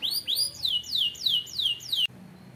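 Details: Canary singing a tour of loud, clear whistled notes, each sliding down from high to lower pitch and repeated about every half second, six in a row before the song cuts off abruptly into quiet background hum.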